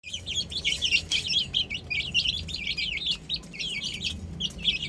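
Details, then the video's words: Many baby chickens on a roof, chirping together in a dense stream of high, quick peeps and short rising-falling chirps that overlap continuously, over a low steady hum. "Adorable Chicks Chirping Sounds"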